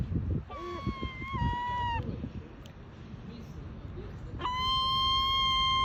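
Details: Gulls in Bournemouth calling while hungry: long, level, slightly falling mewing cries with rich harmonics, a short break, then a strong steady cry; soft background noise.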